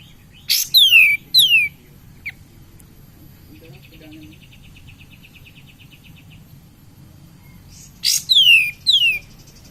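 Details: Lure song of a vocal cream-vented bulbul meant to excite other birds: pairs of downward-slurred whistles at the start and end, separated by a faint trilling stretch and quiet background hum.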